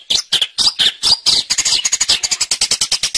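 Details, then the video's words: Long-tailed shrike, called cendet, in gacor song used to train songbirds: several loud, scratchy, wavering notes followed by a quickening series of thin, high, clipped chirps. "Suara Burung Cendet | Gacor"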